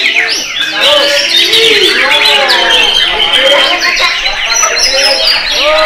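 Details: White-rumped shama singing: a dense, loud run of varied whistled phrases, rising and falling slurs and rapid trills layered closely together, continuous throughout.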